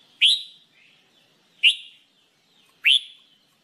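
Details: Red-whiskered bulbul, also called jambul bulbul, in singing training, giving three loud, sharply rising whistled notes about one and a half seconds apart, each falling away in a short tail, with quiet pauses between.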